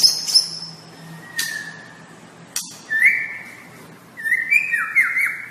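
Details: On a white-rumped shama tutor recording, high thin notes open the clip. Long clear whistles follow, some flat, some sliding down in steps, with short pauses between, over faint background hum.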